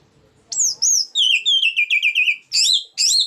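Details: Orange-headed thrush singing in the 'ngeplong' style meant to stir other birds: a loud, rich run of descending slurred whistles repeated rapidly, followed by two higher, sweeping phrases.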